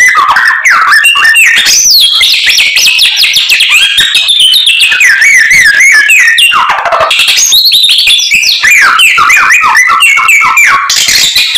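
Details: Continuous white-rumped shama song full of isian, its learned filler phrases: loud, unbroken runs of whistled slurs, chips and buzzy notes sweeping high and low without pause.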